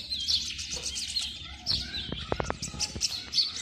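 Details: Male Oriental magpie-robin singing a courtship song to attract a female, also territorial, from a treetop: a varied run of sweet whistles and chirps with a few sharp clicks; sparrows, starlings and other birds twitter faintly behind.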